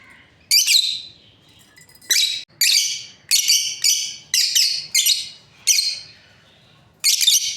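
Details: Shrill, grating chirps from a breeding pair of lovebirds, about eight sharp bursts spaced roughly half a second to a second apart, each a harsh descending screech.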